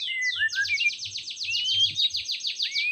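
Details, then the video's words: White-rumped shama song to heat up a shama that sings poorly: a long rapid rasping trill of repeated strokes with a thin rising whistle threaded through it, low hum behind. "Kicauan Murai Batu Untuk Menaikan Emosi Murai Batu yang kurang gacor"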